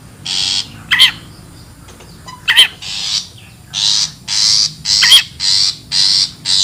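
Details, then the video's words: Long-tailed shrike in the wild, used as a bird lure: rasping, scratchy bursts repeated roughly twice a second, broken by three quick, piercing, quavering notes. "SUARA ASLI PIKAT CENDET,PENTET ALAM LIAR"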